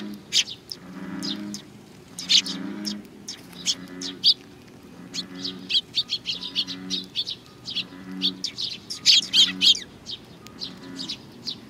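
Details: A flock of sparrows coming for food at Tenmangu, Nakanoshima, 21 June 2020, chirping rapidly and overlapping in dense high bursts, while a low, repeated humming tone runs underneath.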